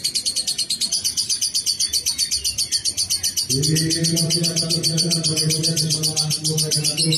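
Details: Lovebird chattering in a long, fast ngekek trill of high buzzy pulses; halfway through a deep, steady humming drone starts underneath and continues to the end.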